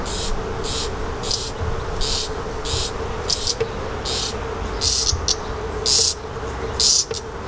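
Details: Redstart fledgling being fed by its parents, giving short, hissing, high-pitched begging calls repeated about once a second over a faint steady hum.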